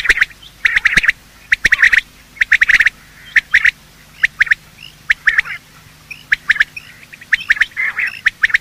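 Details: Male and female quail giving morning calls, used as a hunting lure: bursts of short, sharp, high notes in quick clusters, with brief pauses, and several birds calling over one another.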